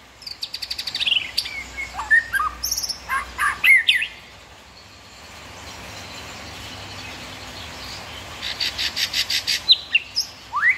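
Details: {'caption': 'White-rumped shama in varied song: rapid buzzy trills and chattering notes mixed with slurred whistles, a pause of steady hiss, then another fast buzzy series and a rising whistle.'}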